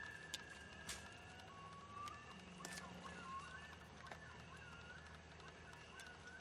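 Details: At dusk a loon gives faint, long, wavering wail-like notes that slide between pitches, with soft clicks and low background rumble.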